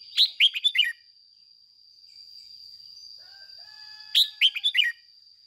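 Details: Excited 'ché' singing from a red-whiskered bulbul kept as a lure to provoke other birds: two crisp phrases of four or five lively whistled notes about four seconds apart, with faint distant tonal calls and a steady high whine between them.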